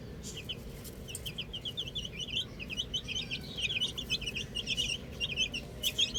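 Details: Little chicks with a ball keep up lively, overlapping high peeps at roughly two per second per bird, the chorus growing louder and denser toward the end.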